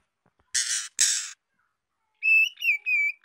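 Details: White-rumped shama (Copsychus malabaricus), song: young female singing to stimulate males.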